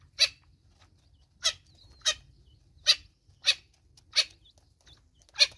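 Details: In South Africa, a Natal spurfowl mother with chicks gives seven loud, rasping bursts, roughly one every 0.6 to 1.2 seconds, over a quiet background.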